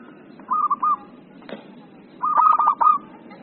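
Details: Vigorously singing local zebra dove gives two short phrases of quick, staccato trilled coos, the second longer and louder, split by a faint click.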